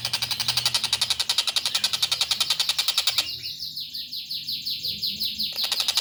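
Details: A young long-tailed shrike gives a fast, steady, buzzy chatter of about four pulses per second. The chatter shifts into a higher, thinner rattling series, with some indoor room noise underneath.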